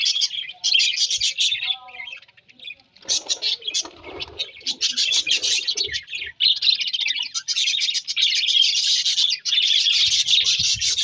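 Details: Parrot chattering in bursts of high, scratchy, rapid notes, broken by brief pauses and soft low knocks, then a long continuous stretch of harsh chatter.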